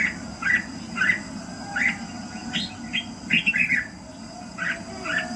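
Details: Morning song of a red-whiskered bulbul used to fire up birds: evenly spaced, bright chirruping phrases roughly every half second, some doubled into quick trills, over a faint steady whine and soft rumble.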